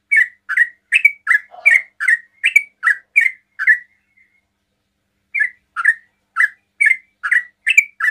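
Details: Fast song of a sooty-headed bulbul aimed at drawing replies from other bulbuls: quick whistled chirps almost three per second, a pause of over a second, then the same chirping series resumes.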